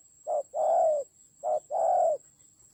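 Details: In the Central Highlands of Vietnam, a decoy spotted dove mid-fight utters two hoarse coo pairs, each a clipped note followed by a longer smooth one, against a steady high hum.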